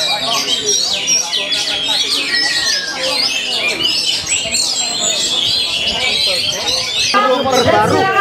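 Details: Oriental magpie-robin that took first place at a bird-singing competition in Tegal, Indonesia, 11 August 2024, delivering rapid, varied whistles and scratchy trills, about two notes a second, amid applause, music and voices, louder near the end.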